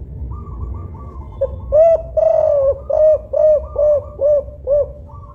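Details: Local spotted dove of the kuk-5 type, kept for use as a lure to draw other doves, calls loudly: a low, rounded coo repeated about seven times in quick succession, with fainter higher coos from another dove behind it and a soft low hum.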